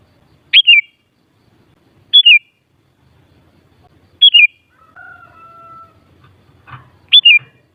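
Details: Sooty-headed bulbul singing short, clear whistled phrases, each opening with a sharp note then falling in quick wavers, repeated at uneven intervals, with a flat lower whistle and a soft knock between phrases. Used to rouse bulbuls to reply.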